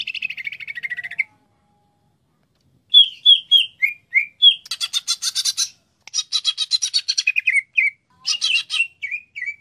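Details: A greater green leafbird gives a short falling trill, then after a pause a string of whistled slurs. These alternate with bursts of harsh buzzy rattling and more down-slurred whistles, in a varied, lively sequence.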